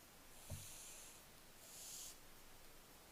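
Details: Barn owlets on 15 July 2024 make soft, breathy hissing. A faint snore-like burst lasts close to a second and a shorter hiss follows, preceded by a small low knock, all fairly quiet.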